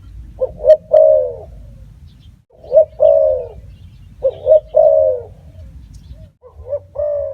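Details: A spotted dove gives four rhythmic phrases of two short coos and a longer drawn coo, spaced about two seconds apart, with a low rumbling hum in the background.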